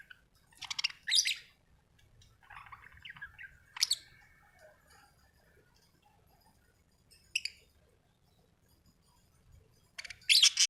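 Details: Sharp bright chirps from a budgie arrive in scattered clusters, some harsh and scratchy, with a soft warbled phrase around the fourth second and quiet stretches between.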